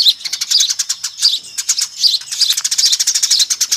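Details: Eurasian tree sparrow lure sound, a noisy flock: steady chattering of quick high chirps, growing denser and faster in the second half.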